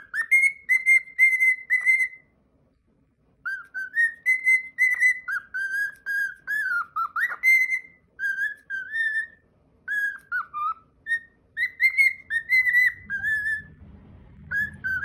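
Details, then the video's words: Captive pet cockatiel performing its original song, a long run of pure whistled notes, some held, some swooping up or down, grouped into phrases with short gaps; faint low rumbling background noise near the end. "ミロのオリジナルソング｜Milo's original song."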